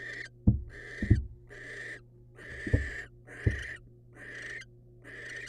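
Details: Female barn owl receiving a rodent from the male, wild birds: quick rasping hisses in close succession, mixed with heavy thumps and shuffling early on, low hum throughout.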